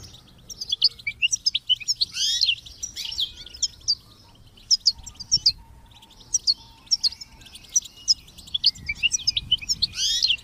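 European goldfinch song: rapid, tinkling high twitters and liquid trills in bursts, with buzzy notes and short chirps repeated throughout.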